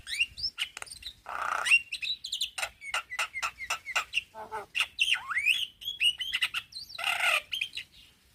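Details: Male Javan myna calling to young companions: a varied run of sharp chirps, rising and falling whistled notes and a few harsh, buzzy bursts, delivered in quick irregular succession with short gaps.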